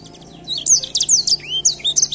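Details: Edel sanger songbird singing in a bird singing competition, a quick run of high, thin, twisting whistled notes and trills over a steady low hum.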